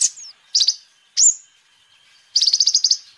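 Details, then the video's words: Kolibri ninja sunbird song for luring and tutoring birds. A faint thin note comes first, then a short trill and a loud sharp upslurred squeak. A rapid high chattering run follows. "Kolibri Ninja Gacor Terbukti Ampuh Untuk Pancingan Dan Masteran Burung"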